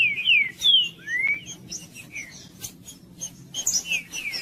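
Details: Green-winged saltator song in the 'judas' style, played to warm up and stimulate quiet captive birds. Clear whistled notes slur downward and upward at the start. Fainter scattered chirps follow over a low background murmur.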